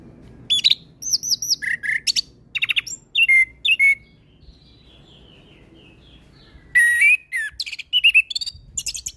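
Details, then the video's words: Orange-headed thrush delivering a varied lure song: rapid repeated whistles and chirps, a quieter pause with faint notes, then a fresh loud burst of slurred whistles and high trills. "Pancingan Burung Anis Kembang Bahan Dengan Suara Anis kembang Gacor Full isian"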